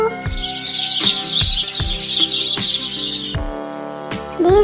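A sparrow chatters in a dense run of quick, high chirps for about three seconds, over steady background music with a soft beat.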